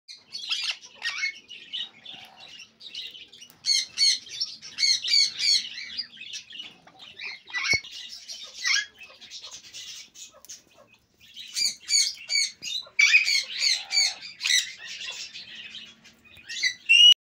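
Sun conure giving harsh, grating squawks and chattering notes in rapid bursts with short pauses.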